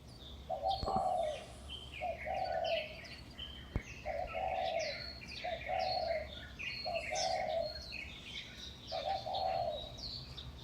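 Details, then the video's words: Birds on utility poles at Huanan New Village, Taipei, Taiwan, recorded around 5:25 am in May 2019: a low, hoarse cooing phrase repeats about every two seconds beneath scattered high, thin chirps and whistles from other birds. "化南新村 鳥叫起床 請帶耳機身歷其境 台北市最強鳥叫社區 sounds of birds"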